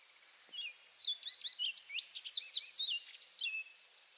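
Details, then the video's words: Orchard oriole singing at Donnelley WMA in coastal South Carolina: a quick, bubbly phrase of about a dozen whistled and slurred notes, jumping between high and lower pitches, ending in a lower falling whistle. "Orchard Oriole Singing"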